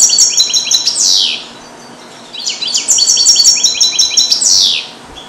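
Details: Male European goldfinch, captive-bred in 2022 and educated in Neapolitan song passages, recorded in a small carrier; two phrases of rapid twittering, each closing with a sharp descending slur, separated by a second-long pause.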